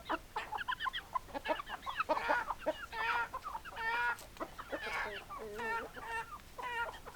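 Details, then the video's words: Hens clucking busily: rapid strings of short, nasal clucks mixed with longer, wavering, drawn-out squawks, with several birds overlapping and calling continuously throughout. "Chicken Sounds Noises Hens Clucking Roosters Crowing"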